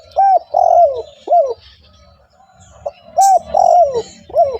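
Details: Lure recording of a spotted dove calling persistently to draw in wild doves: two full phrases of hollow coos. A clipped opening note leads into a longer rolling coo that slides downward, then a final short coo, over faint low rumble.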